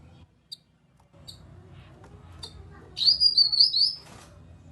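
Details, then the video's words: Grey-cheeked bulbul lure call used to get silent birds in a group to reply. Scattered faint chips lead up to a loud, high, rippling warbled phrase about a second long. "Pancingan Burung Kinoi agar ikut Bunyi Nyaut"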